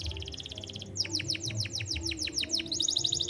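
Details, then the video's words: White canary singing a continuous high trill, shifting into a series of downward-swept notes repeated several times a second, then back to a fast pulsed trill. "White Canary Sound Effect"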